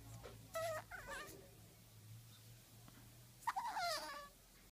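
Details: Baby African grey parrot, seven weeks old, kept indoors, making baby noises: two short, nasal, wavering whines about three seconds apart, over a steady low electrical hum.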